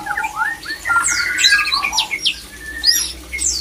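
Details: White-rumped shama male sings a mating song meant to bring other shamas into breeding condition. Fast run of bright whistles, rising and falling slurs and high sharp notes in a dense, varied burst.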